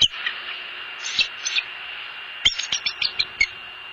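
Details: Wild bald eagle at a nest camera in southwest Florida, breaking into song before flying away: a series of high, thin chittering notes in quick succession, over steady broadband background noise.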